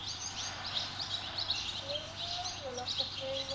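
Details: Barn swallow chicks at fledging time, five young leaving one nest within two and a half minutes, urged on by chicks from other nests that fledged earlier; short high chirps repeated in quick bursts, with a low steady tone running underneath.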